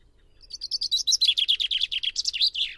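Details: A common chaffinch delivers a strong, rattling phrase of about two seconds. Evenly spaced high notes tumble downward in pitch and quicken, then close with a short, sweeping end note. There is almost no background noise.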